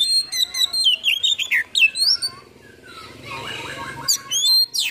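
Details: Oriental magpie-robin with a repertoire full of fill-in phrases, tail fanned in a cobra-like display. A fast, busy string of whistles and slurred notes gives way to a stretch of rough noise, then the song briefly returns.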